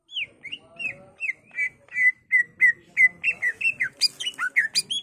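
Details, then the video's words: Caged greater green leafbird, or cucak ijo, singing full song for training other birds: a fast run of slurred whistled notes, rising and falling, about three per second, ending in louder harsh buzzy and swooping phrases. "Cucak ijo gacor bongkar isian full nembak ampuh untuk pancingan dan masteran"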